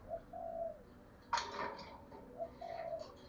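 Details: Spotted dove cooing, played as a lure to call in other doves. Soft, low, hollow coos come in short-then-long pairs, broken midway by a sharp knock and rustle, with faint background hiss.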